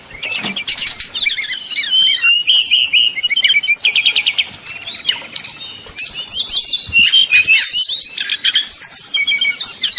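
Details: 'Nyuling' song of a brown-chested jungle flycatcher, played to provoke rival birds; dense high twittering, rapid repeated trill notes and sweeping whistles running almost continuously, with a couple of short dips in loudness.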